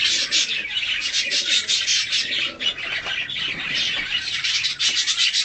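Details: Budgerigar of a colour mutation, hand-tame, chattering steadily while fed and cuddled: dense raspy warbling with rapid harsh notes, hardly pausing.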